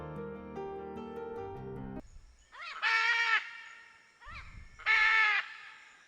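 A scarlet macaw gives two loud, harsh, rasping squawks about two seconds apart, after a short burst of background music.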